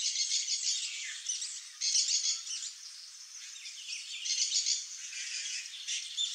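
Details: Saffron finch, free in the wild, giving dense bursts of high, scratchy chirps and rapid twittering phrases in overlapping waves, with short quieter gaps between louder outbursts.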